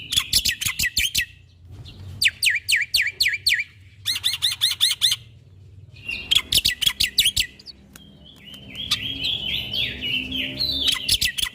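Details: Black-winged starling singing in a busy fill-in style, kept as a caged bird and recorded for training others: clustered bursts of sharp repeated chipping notes separated by short gaps, ending in warbling, scratchy phrases against a low background hum.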